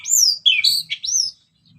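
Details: Orange-headed thrush in ngeplong singing, used as a lure to stir other birds: one quick, loud phrase of high slurred whistles, first falling, then rising and falling, ending in a soft trailing note.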